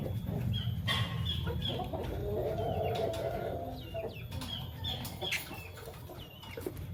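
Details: Morning chirping of Fischer's and masked lovebirds: repeated short, bright, slurred chirps, about two or three a second, over steady low-pitched background noise.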